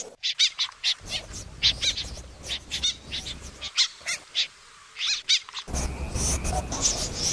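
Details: Snipe calling, played as a lure for night trapping of birds: short, piercing chirps repeated in uneven runs, roughly two per second, with a brief pause midway and rougher, noisier calling near the end.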